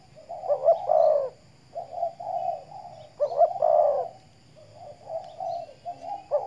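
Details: Spotted dove kept as a decoy bird in the Riau Islands, Indonesia, sunning in the morning, repeats two strong cooing phrases roughly three seconds apart: stuttered rising notes into a broad rolling coo, followed by quieter low murmured coos.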